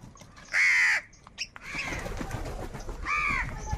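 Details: Angry crows fighting over food give a single loud, harsh caw early on, then a softer second caw after a stretch of rustling noise.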